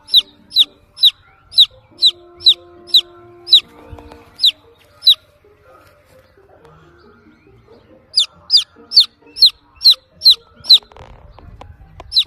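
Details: Chick searching for the mother hen, giving shrill downward-sliding peeps in quick runs, a few seconds of near silence with faint music between the two bursts, then more rapid peeping.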